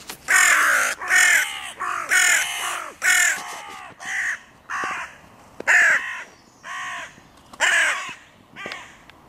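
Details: Crows cawing at the meeting point of three breeding pairs' territories by a music pavilion in a park, disputed borders; a series of loud, harsh, hoarse caws, several in quick runs, then spaced calls about every second.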